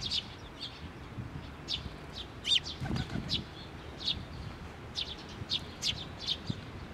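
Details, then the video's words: Chick perched on a post at a Tenmangu shrine, 16 May 2023, with a parent coming back: thin, high chip notes at irregular intervals, some in quick pairs, with a brief low rumble near the middle. "支柱の上で鳴いてた雛鳥 親鳥が戻って来た"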